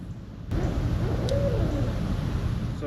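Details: Barred Owls, two on one side and one behind, call back and forth to each other while people work outdoors: a low, muffled hoot rising slightly then falling, over steady low rumbling background noise.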